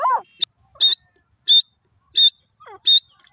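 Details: Grey francolin, known locally as Irani teetar, calling in high spirits: sharp, bright, clipped high notes repeated about every 0.7 seconds, with a few softer, lower, curving squeaky notes in between.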